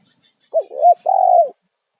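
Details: Spotted dove giving a loud 'kuk satu' style call used as a lure for wild doves: a single phrase of two quick warbling rising-falling notes, then a longer, steady, gently descending coo, with otherwise silent surroundings.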